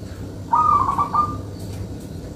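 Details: A local zebra dove (perkutut) singing, used as a lure recording, gives a single soft, rolling coo under a second, a quick run of mid-pitched notes over faint background hiss.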